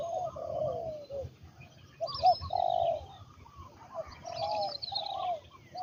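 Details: Trained captive spotted dove, a Thai ground-luring decoy, uttering low, smooth, drawn-out coos in three or four separate phrases, with other birds twittering faintly at higher pitch in an outdoor setting.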